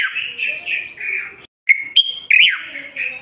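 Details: Continuous song of a tame Moroccan common bulbul, meant to prompt males to sing and females to prepare for mating: mellow warbled whistles, a short silence, then clipped high notes and a downward-swooping phrase.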